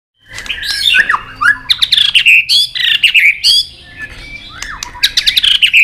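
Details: White-rumped shama singing a long forest-voice fighting song, used to rouse another shama, while flicking its tail and bobbing on its perch. Loud, varied whistled phrases with sharp upward sweeps and rapid chattering notes pour out almost without pause.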